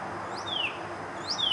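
A cardinal gives two clear whistled notes that slur downward, about a second apart, over a steady background hiss.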